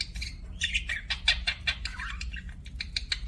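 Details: Budgerigar in an aviary chirping: a rapid series of short, scratchy chirps and warbles, busy and irregular, over a low steady hum.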